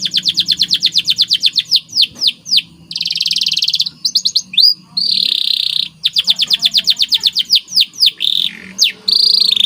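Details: Energetic masteran training song of a white canary: rapid rolls of repeated high notes, broken by buzzy rattles and short downward-swept whistles, with brief pauses between phrases.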